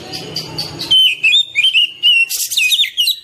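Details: Oriental magpie-robin song played as therapy for caged birds that will not sing: faint murmuring at first, then a run of bright whistled notes and warbled twists, ending with a sharp chirpy burst.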